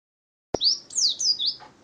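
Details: Pleci (white-eye), a kept contest bird: after a sharp click, one short phrase of high, thin, slurred whistles that sweep down and up, ending abruptly.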